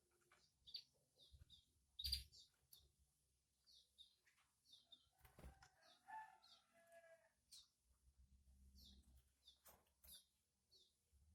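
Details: Canary chick begging as its mother feeds it: short, high thin chirps repeated roughly every half second in a steady series, mixed with wing flutters, a loud flapping burst and soft rustling.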